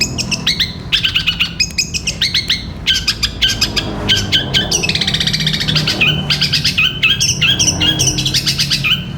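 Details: Long-tailed shrike in long 'gereja petir' song for caged-bird training: a busy, rapid chatter of sharp harmonic chirps building to a near-continuous buzzing trill, then renewed chirp bursts.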